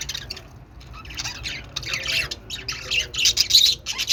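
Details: Budgie calls building from soft scattered chirps into loud, rapid, harsh squawking warbles.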